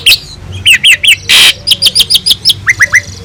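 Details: Asian pied starling (jalak suren) master recording for tutoring other birds: evenly spaced sharp downslurred chirps about every fifth of a second, broken once by a short harsh rasp.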